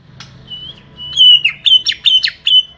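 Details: Small-bodied greater green leafbird gives a sustained level whistle, then a burst of sharp, harsh chattering notes mixed with brief whistles, the final notes fast and clipped.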